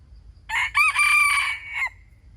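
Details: A single wild chicken crow, loud and clear: a short opening note, a break, then a long sustained harmonic note ending in a falling tail, over a faint low background hum.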